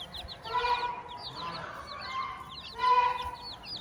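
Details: Farmyard hen accompanied by her chicks: three throaty, harmonic call notes, the last loudest, set against a busy chorus of shrill, quick peeping chicks.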